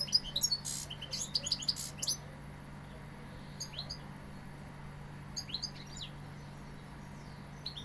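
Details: European goldfinch of the Sevillian type: a burst of quick high twittering and chirps for two seconds, then silence broken by two short clusters of bright tinkling notes, with a constant low hum throughout.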